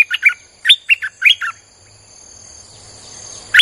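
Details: Repeated bubbly four-note phrases from a streak-eared bulbul, used as a wild-bird lure, followed by quiet background hiss and one final note at the end.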